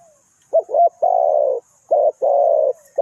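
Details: Spotted dove serving as a trap decoy: two quick stuttered notes lead into a long, even, husky coo, then one more short-long phrase follows, deep and purring.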